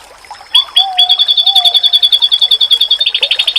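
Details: Oriental white-eye masteran song, claimed to make other white-eyes respond: two or three sharp chips lead into a long, fast, evenly pulsed high trill that ends in a denser burst, with soft low whistles underneath.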